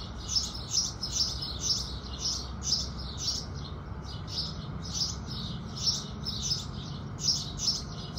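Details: Sunrise chirping by house sparrows: rapid, bright, repeated chirps about twice a second, nearly continuous, with a few softer notes between over faint low noise.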